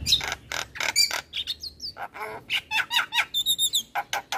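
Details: A male Javan myna sings a rich, varied song to prompt young mynas, mixing rapid harsh chips, short whistled slurs and a buzzy trilled phrase in quick succession.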